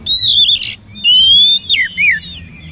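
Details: Loud Oriental magpie-robin whistles: a sustained clear note ending in a harsh burst, a long steady whistle, then two ringing downslurred notes.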